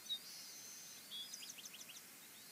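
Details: Bald eagles at the Fraser Point nest on 22 March 2019, with adults feeding chicks 1 and 2. A quick string of thin, high, chirping notes, each dropping slightly in pitch, rings out over a steady outdoor hiss.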